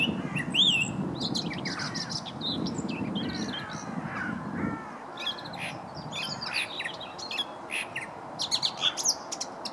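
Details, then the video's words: Song thrush singing by the towpath near Stoke Lock, River Wey, Guildford: loud, varied phrases of sharp whistles, trills and fluty notes in quick bursts, against a low rumbling background that drops away halfway. "Song thrush sings by towpath near Stoke Lock"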